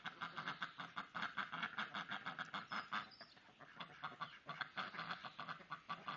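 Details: Domestic ducks in a flock during female agonistic behaviour, with a mother and adult daughter wrestling for dominance while drakes mate with the dominant female. Rapid, harsh quacks repeat about four times a second, steady and loud throughout.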